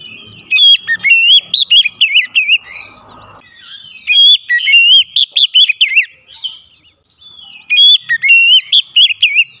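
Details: Kacer (Oriental magpie-robin) pouring out varied 'isian' fill phrases in a singing-stimulation therapy recording: three long bursts of rapid, bright whistled notes, rising and falling, with short pauses between them.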